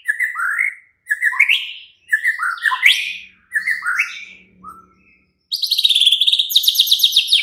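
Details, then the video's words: White-rumped shama song played at night as a lure to make a caged bird answer and sing freely: rich whistled phrases, rising and falling, broken by short pauses, ending in a fast buzzy high trill. "Pancingan Murai batu MALAM HARI jadikan NYAUT GACOR dan NGEPLONG"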